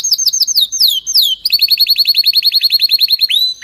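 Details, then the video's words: Loud canary tutor song, strong and without mistakes: clear descending whistled swoops, then a long even trill of rapidly repeated curved notes, about eight per second, closing on a rising note. "canary singing تغريد قوي جدا وبدون أخطاء لتسميع الكناري"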